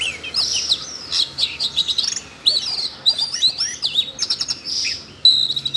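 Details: Siberian rubythroat excited into song by voice-training audio played for a young bird; rapid varied high warbling of twittering notes and sliding whistles, broken by short pauses, with sharp clicks.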